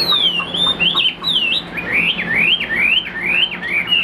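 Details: A Chinese hwamei kept as a pet songbird repeats bright, zigzagging whistles, each note sliding sharply up and then down, about two per second, clear and loud against a faint hum.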